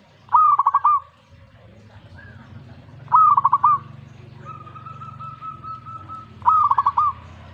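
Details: Zebra dove reacting at once to a master recording, giving three loud cooing phrases about three seconds apart. Each is a rising note followed by a quick stutter of rolling notes. A long steady tone and a low hum sound between phrases.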